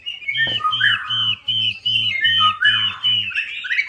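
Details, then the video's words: Chinese hwamei song played to stir a non-singing hwamei: loud repeated whistled notes about every third of a second, interwoven with lower fluty slurs and a short click, above a pulsing low hum. "PANCINGAN WAMBI MACET"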